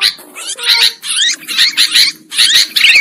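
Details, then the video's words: Sooty-headed bulbul calls used as a trapping lure: harsh, scratchy chatter in separate bursts roughly every half second, with a faint low hum underneath. "Suara Pikat Burung Kutilang Ampuh"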